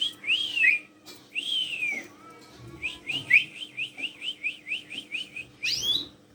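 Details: Tame black-collared starling singing to coax other birds into calling: two long falling whistles, then an even run of about a dozen quick rising whistled notes and a final upward flourish.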